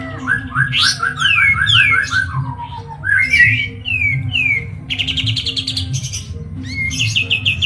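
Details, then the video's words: White-eye (kapas tembak) from Medan in varied 'ngeroll' song: quick chirping runs and downslurred whistles, then a buzzy high rattle and a final short trill, over a low steady hum. "KAPAS TEMBAK MEDAN GACOR ISIAN SUARA PEDAS NGEROLL SPEED NEMBAK EDAN"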